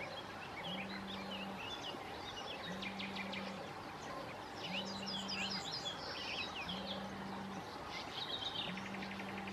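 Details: Sand martins at a breeding colony on the Bečva river, Czech Republic, 3 June 2018: many dry, scratchy twitters and chirps overlapping, with a low regular hum pulsing about every two seconds beneath.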